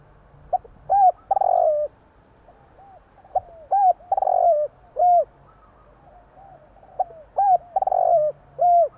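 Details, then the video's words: Night calling of a Javanese tekukur, or spotted dove: repeated phrases of short opening notes, a rough drawn-out coo falling in pitch, and a clear closing coo, with soft background coos between. "burung tekukur bunyi malam hari"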